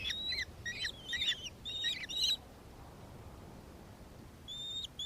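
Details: Nankeen kestrel, Victoria, Australia, 4 December 2024: five quick shrill notes in a burst, then a quiet pause of about two seconds, then two more thin high notes at the end. Faint background hiss.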